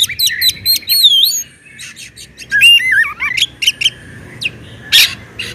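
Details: Oriental magpie-robin (kacer) in full song, used as a lure to make sluggish kacer sing; quick sharp clicks and a looping whistle, then twisting slurred phrases and scattered high notes over a faint hum.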